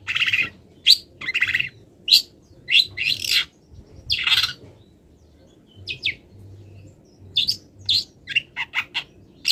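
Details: Moulting long-tailed shrike in full mimicry song of wild birds: harsh, buzzy bursts alternate with thin, sharp high notes, separated by short pauses.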